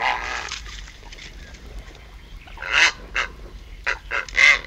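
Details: Purple Herons at the nest, first calling close up as an adult arrives, then the pair calling: harsh, hoarse croaking calls in short bursts, a few loud ones near the end, over a faint low background hum.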